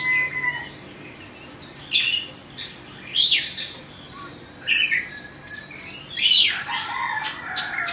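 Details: Oriental magpie-robin, caged and of Indonesian origin, two seasons old, giving short separate bursts of loud whistled and squeaky notes about every second, with short pauses between bursts.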